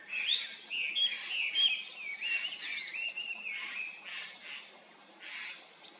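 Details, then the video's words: Japanese grosbeak, a wild bird, uttering clear whistled and slurred chirping notes in loose groups, some sweeping upward, with soft gaps between phrases and a faint background hiss. "イカルEophona personata"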